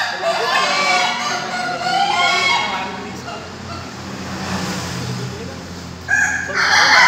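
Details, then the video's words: Laughing chicken roosters (Ayam Ketawa) at a group practice gathering in Bogor, Indonesia, crowing in pens: a wavering, stuttered crow opens, background voices and noise follow, then another bright crow bursts in near the end. "latber ayam ketawa"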